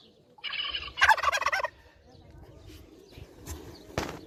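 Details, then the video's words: A single short, harsh gobble from a competing turkey, rising into a louder rattling burst, then faint rustling and a sharp knock near the end. "Turkey trying to compete"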